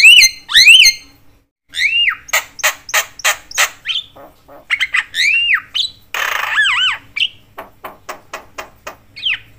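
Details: Javan myna singing, a sound said to rouse other mynas; a mix of swooping whistles, fast harsh chatter, sharp clicks and a noisy buzzy burst, lively and varied.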